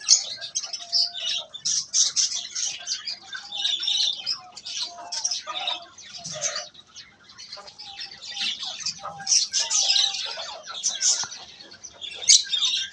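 Budgerigar chick giving a steady stream of raspy, scratchy chirps and squeaks.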